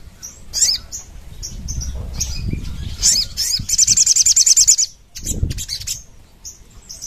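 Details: Crimson sunbird in energetic 'nembak ngerap' song, a lure and master recording: high squeaky notes, then a rapid ringing trill of a dozen pulses, with fluttering and handling noise in the low range.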